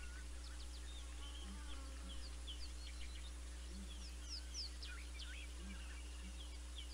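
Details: Low, muffled booms from a pair of Southern ground hornbills at Naledi Cat-EYE on 19 December 2021, repeated in short pairs, while other birds twitter and whistle above a constant hum.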